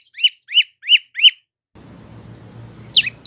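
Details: Olive-backed prinia song used as a tutor recording for cage birds: four sharp chirps repeated about every third of a second, a pause with low background hum, then two more high descending notes.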